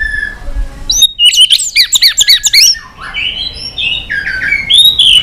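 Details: Many-voiced white-rumped shama fighting song: a fast burst of high chattering, crackling notes, then lower rolling warbles and rising whistled phrases.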